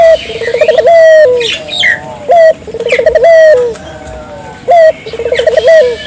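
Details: Barbary dove in full vigorous calling, meant to draw local doves into calling too; three phrases roughly every two seconds, each a short upslurred note, a quick rolling trill of coos and a sustained ending hoot, with faint chirps of other birds.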